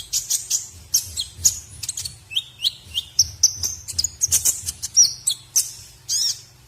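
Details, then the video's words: Training song (masteran) of a white-rumped shama for other birds to copy, a prized contest filler: fast varied high chips mixed with clear level whistles and a closing rising-falling warble, rhythmic throughout, faint low hum behind. "masteran murai batu isian terbaik buat jurii"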